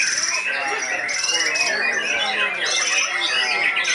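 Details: Competition song of a seven-month-old white-rumped shama at the Police Cup 1 event, full of rapid shot notes: dense chattering phrases under repeated high buzzy bursts about once a second, with other caged birds and crowd chatter mixed in.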